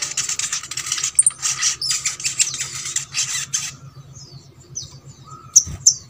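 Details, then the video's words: Sogok ontong song for coaxing lazy birds of its kind to sing: a rapid, buzzy stream of high chattering notes for nearly four seconds, then faint thin whistles and two sharp chips, over a low hum. "MASTERAN SOGON ( sogok ontong ) BAHAN AGAR RAJIN BUNYI"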